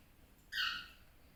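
A cockatiel gives one short, harsh, slightly falling call over a quiet background.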